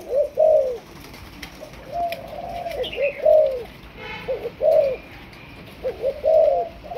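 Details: Malaysian spotted dove in decoy training, a young bird newly cooing, gives distinct low coo phrases of two or three notes about every second, with quiet gaps and a brief faint chirp.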